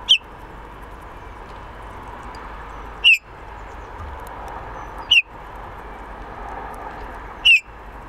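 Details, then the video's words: A Eurasian bullfinch at a balcony bird house gives four soft, piping, slightly falling 'pew' calls at irregular gaps of two to three seconds, over a steady background hum. "Bullfinch call"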